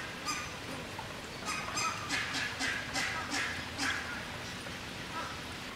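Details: Captive demoiselle cranes foraging and feeding their chicks beside a creek: a quick run of loud, grating honks, several per second for a few seconds, then quieter, with running water throughout.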